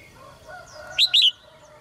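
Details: Red-whiskered bulbul kept in a cage, to spur males into vigorous singing: a brief two-note whistled phrase, clear and loud over a faint hum.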